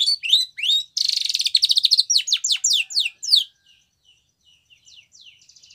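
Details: Training song by a white Spanish Timbrado canary. Whistled notes lead into a loud, buzzy pulsed roll, then a series of sharp descending sweeps. After that, only faint, soft chips remain.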